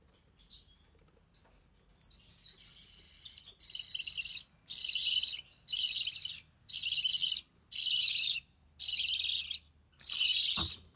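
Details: Recessive pied budgerigar chick hatched in early June 2020, offspring of a white recessive pied male and albino red-eye female, during feeding by its mother: steady run of loud, harsh hissing rasps, each near one second, spaced by short silences.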